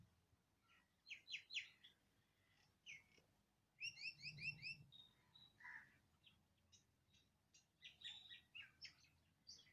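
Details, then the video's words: Birds singing in Andhra Pradesh, India, giving scattered high chirps and quick trills, including a fast run of repeated downward-slurred notes midway, with some soft low rumble and other birds calling faintly. "Birds singing in Andhra Pradesh india"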